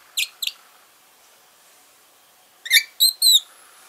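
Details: A pet Fischer's lovebird talking in its sleep gives two quick, sharp chirps, goes quiet, then makes three brighter, squeaky chirps in a fast run, in an otherwise quiet room.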